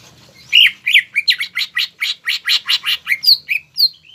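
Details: Greater green leafbird singing a lively, varied run of rapid scratchy notes that quicken and then end in a few sharp, higher chirps.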